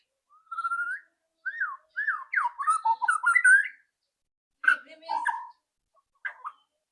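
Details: White-rumped shama lure song to coax a bird into singing fast. Lower mellow whistles and quick tumbling slurred notes run together, then a break, a harsher burst and a few short notes.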